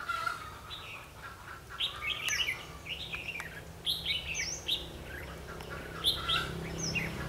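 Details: Red-whiskered bulbul at a trapping session, 21 March 2016: short, lively whistled phrases that swoop up and down, coming in quick bursts over a steady low droning background.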